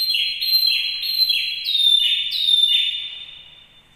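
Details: Canary singing as a master song for training other canaries: loud repeated high trills with descending whistled notes about twice a second, then fading out quietly at the end.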